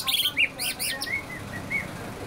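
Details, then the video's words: White-rumped shama, said to be easily agitated, producing rapid high arched chirps followed by thin drawn-out whistles at a steady pitch, over a low background hum. "Murai batu mudah emosi"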